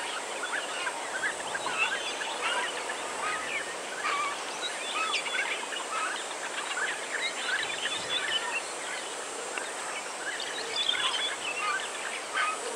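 A crowd of white-backed vultures gives harsh squeals, cackles and hisses that overlap constantly.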